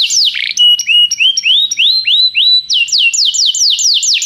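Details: Canary song recorded as a tutor for a young canary: a swept note, rising whistled slurs with a steady overtone, then a series of loud descending sweeps repeated about three per second.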